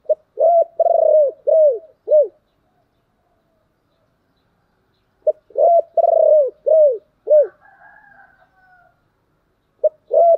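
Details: Spotted dove coo meant to draw wild doves into answering: two matching phrases about five seconds apart, each a quick note followed by four soft coos with a long, throbbing second note, and a third phrase starting at the end.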